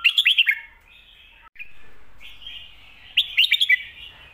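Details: Red-whiskered bulbul singing the 'phat kuaytiao' or 'shake bottle' song style, used for tutoring birds at home: two bursts of five rapid, bright, up-and-down whistled notes separated by a softer sustained warble.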